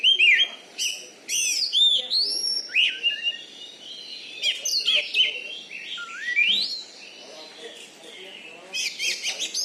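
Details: Champion caged Oriental magpie-robin from Bengkulu, Indonesia, praised for a loud voice and special fighting style; a fast, rich run of whistles, slurred sweeps, clicks and chattering notes with brief gaps, continuing nearly throughout.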